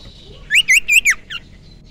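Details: Young wild common iora, used as a lure bird, giving a short burst of four loud, rising-and-falling whistled notes followed by a softer fifth note, in quiet surroundings.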